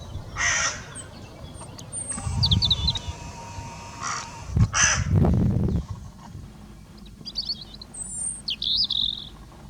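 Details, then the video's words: Crow giving harsh, broadband caws, one near the start and another around five seconds, with thin high chirps of small birds and a low rumbling background. "Crow call - Panggilan gagak / gagak suara / suara gagak hewan"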